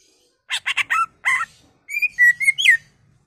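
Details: Greater green leafbird song played to provoke other leafbirds: a quick series of harsh, rasping chattering notes, then a smoother phrase of level whistles ending in a twisting upslurred note.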